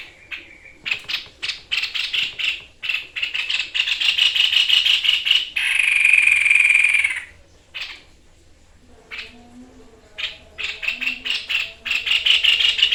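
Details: White-chested babbler singing steadily in the 'tembakan' shooting style, recorded for training other birds: a run of dry rattling bursts, a long buzzy trill in the middle, a short quiet gap, then more rasping bursts.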